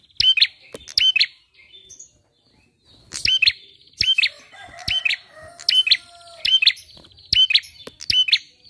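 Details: Bar-winged prinia in full song, played as a lure to set other birds singing. Brisk, high chirp pairs repeat about once a second after a brief early pause, with a faint steady tone at one point.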